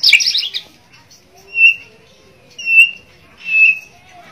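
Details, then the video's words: Singing white-rumped shama (murai borneo): a scratchy chattering burst, then three pure, steady whistles at the same high pitch, each about half a second long and roughly a second apart, with quiet pauses between. "murai borneo gacor dor White-rumped Shama 白腰鹊鸲 Kucica Hutan"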